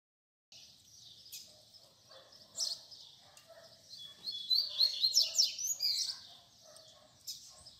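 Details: Double-collared seedeater song of the fibra style, used for teaching young birds to sing: fast, varied high chirps and twittered phrases, faint at first and building to a louder burst of quick trills.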